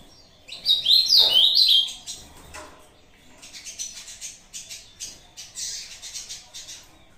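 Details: Ultramarine grosbeak of the Brazuca style, singing its short competition song against a recording: a loud burst of clear warbled whistles, rising and falling over about a second, then softer scattered chirps and buzzy notes.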